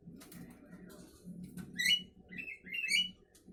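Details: Javan myna in the morning giving two loud, raspy, harmonically rich rising calls with fainter chatter before them, over a low rumbling background.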